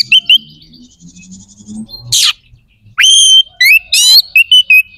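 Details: Energetic white-rumped shama, kacer gacor, used to stir other shamas' aggression and breeding urge; loud rising whistles, a harsh rasping burst, then quick varied whistled phrases and sharp clipped notes, with low chatter at the start.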